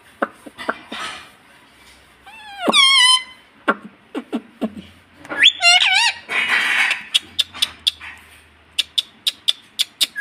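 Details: Pet ring-necked parakeet in India saying "mummy", giving whistled, rising and wavering squawks and mimicked word sounds among sharp clicks and taps, with a person's voice nearby.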